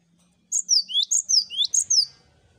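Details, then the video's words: Cinereous tit master chorus meant to make birds sing: three ringing phrases, each a high descending whistle paired with a rising lower note, delivered rapidly, with a soft low hum underneath. "Masteran Gelatik Batu Ombyokan Gacor Bikin Gampang Bunyi"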